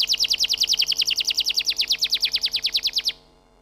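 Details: Canary singing one fast trilled tour of short, sharply repeated notes, about three per second-fraction, steady and rhythmic for three seconds before stopping abruptly into near silence.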